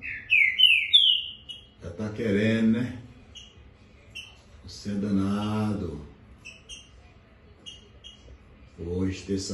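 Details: A male competition green-winged saltator, Santinho, described as eager for a fight, opens with a quick run of loud, clear whistled notes, each slurring upward. A man talks over the rest, with only a few short chips between his words.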